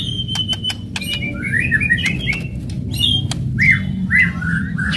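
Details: Aggressive White-rumped shama song used to provoke other birds: sharp ticking clicks, then a run of buzzy warbled phrases and rising whistles, with a constant low rumble behind.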